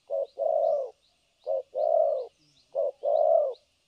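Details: Low, mellow coos from a spotted dove kept as a trapping decoy in Vietnam: a clipped first note and a long rounded second note, repeated three times at even intervals, faint twittering above.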